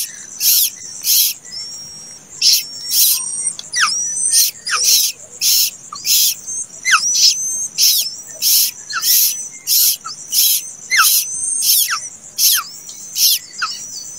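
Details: Plaintive cuckoo chick that hatched late, begging with short raspy high bursts at a rapid, uneven rhythm, about ninety-four a minute, some joined by thin lower downslurred notes; quiet background.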